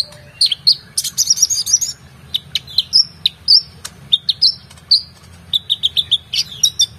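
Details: Oriental magpie-robin in full, agitated song for training competition birds: fast sequences of sharp chips, buzzy bursts and whistled slurred notes, many repeated in quick runs, with a faint low hum beneath.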